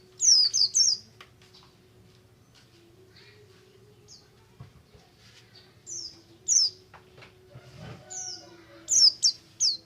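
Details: Oriental white-eye singing the buxtomi ngalas style, used to stimulate other kept white-eyes to sing; short bursts of high, thin, downslurred notes separated by pauses, with a faint steady low hum behind.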